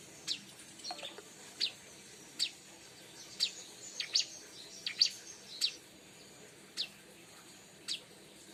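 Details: Sparse, thin high chirps from a Bar-winged prinia, a lure recording, spaced roughly every half second to a second, a few notes doubled, against quiet background hiss.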